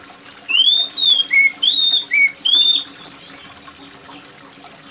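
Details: Oriental magpie-robin song, loud and shrill, with trickling rain behind: six quick whistled notes alternate between long arching slurs and short lower chirps. Only water sound follows.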